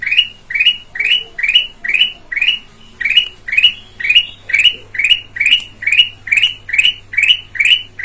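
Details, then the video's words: Red-eyed black-crested bulbul from Sumatra, with a clear voice, used as a lure: short rising chirps repeated about twice a second, each climbing sharply with bright upper overtones, over a steady low electrical hum. "Kutilang Emas mata merah suara jernih buat pancingan"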